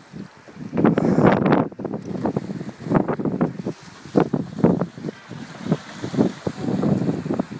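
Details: Gusting wind buffets the microphone in irregular bursts over boat and sea noise, with no animal calls.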